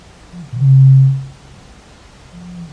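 A Eurasian bittern gives a deep, hollow boom lasting about half a second, with a soft lead-in grunt and a fainter low hum after it.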